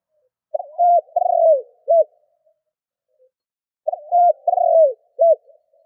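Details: Captive decoy spotted dove cooing for luring wild birds; two deep phrases roughly three and a half seconds apart, each ending with a clipped note after a drawn-out falling coo.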